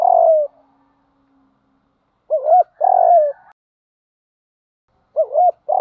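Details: Spotted dove coos from a lure recording for training birds: one long drawn, downward-sliding coo, a pause, then two soft phrases of a short wavering note plus a longer mellow note, and another beginning.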